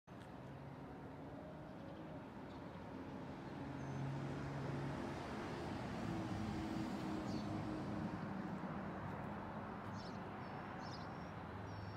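Steady road traffic rumbles throughout, a low continuous wash of passing vehicles with no animal calls standing out.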